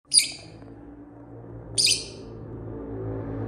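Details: Rosy-faced lovebird, a very chatty bird, giving two short, sharp high chirps about one and a half seconds apart over a low steady indoor hum.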